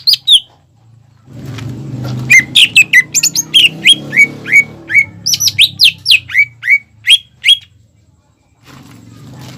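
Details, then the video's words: Greater green leafbird singing energetically, used to spur young birds into song: a long run of rapid, loud downslurred whistled notes, several per second, over a low background hum. "PANCINGAN CUCAK IJO GACOR UNTUK MERANGSANG EMOSI OMBYOKAN/TROTOLAN BIAR CEPAT BUNYI"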